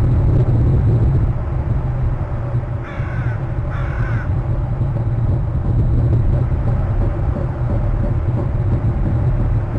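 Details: Crows calling near a Hornby Island eagle nest one February evening as the eagle alerts: two rasping, harsh caws about a second apart, midway through, against a constant deep roar of wind noise.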